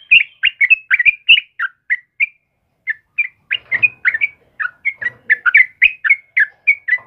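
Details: Morning song of a sooty-headed bulbul, kebo type, sung vigorously: rapid bubbly whistled notes in quick succession, a short pause, then a renewed run of liquid, slightly rising phrases with faint clicks beneath.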